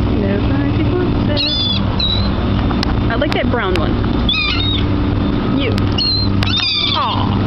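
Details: Gulls at a waterside dock, gathering close as they are fed, give harsh, nasal calls in short bursts, some slurring downward, a few seconds apart, over a constant low engine-like rumble.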